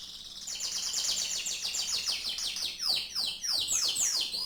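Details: Canary pouring out a fast rolling trill of tightly repeated notes, roughly three per second, then switching to deeper plunging whistled sweeps near the end.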